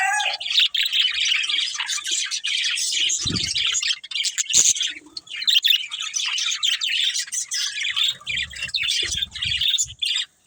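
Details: Budgie breeding pair chirping, a long run of fast, high, buzzy warbling chatter, starting with a short whistled note, with occasional low bumps.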